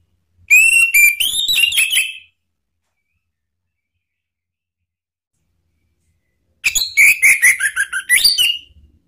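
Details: A male orange-headed thrush sings ngeplong to coax silent birds into singing. Two loud whistled phrases, each nearly two seconds of quick rising and falling notes, split by a long silent gap.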